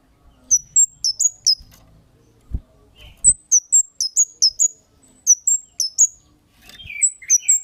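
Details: Energetic Kemade lure calls: repeated bursts of high, sharp chirps, with a few lower buzzy notes near the end and occasional soft knocks in the background.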